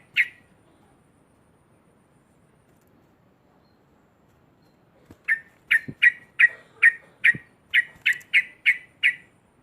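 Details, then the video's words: Sooty-headed bulbul giving a loud song meant to provoke rival birds: after a single opening note and a long quiet gap, eleven harsh, buzzy chattering notes follow in rapid steady succession. "ngekek keras sambung narung trucuk lain pasti emosi●rangsangan trucukan"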